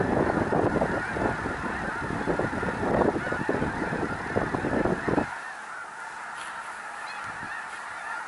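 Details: Snow geese flocking by the thousands near Minot, North Dakota: loud overlapping honks and yelps for about five seconds, then the chorus abruptly drops to a softer, more distant hum of calls.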